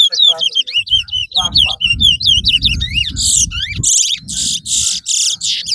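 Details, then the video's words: Chestnut-bellied seed finch, called twa-twa, singing in a race at Rosehall, Guyana, two birds matched. Rapid curling whistled notes give way to loud buzzy, rasping bursts, over a low rumble of voices. "TOWA TOWA RACE"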